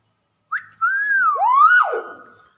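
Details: Common hill myna giving a short rising chirp, then one long clear whistle that climbs, dips and sweeps up again before falling away, with faint overtones in a quiet room.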